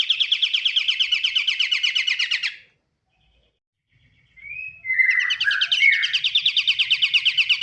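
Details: Kapasan kemiri, or pied triller, giving a long, fast, buzzy trill of evenly pulsed notes. After a pause come a few clear, downslurred whistles, then the rapid, rattling trill resumes to the end.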